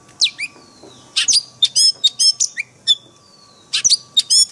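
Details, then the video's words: For training caged birds, an Oriental magpie-robin sings in 'forest voice' style: sweeping high whistles, buzzy chips and a long thin falling note, delivered in clusters with short silences between. "Luyện chòe than hót giọng rừng mỗi ngày MASTERAN KACER"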